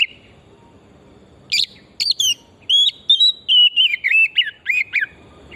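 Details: Oriental magpie-robin of pure forest singing vigorously as a singing lure: a few sharp high squeaky notes, then a flowing sequence of sweet whistles that slide downward and twist, about a dozen notes in quick succession.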